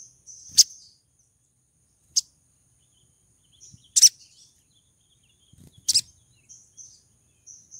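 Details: A breeding female olive-backed sunbird calling to draw in a male: four sharp, very high, explosive chip notes about one to two seconds apart, with soft high whistled trills between them, otherwise quiet.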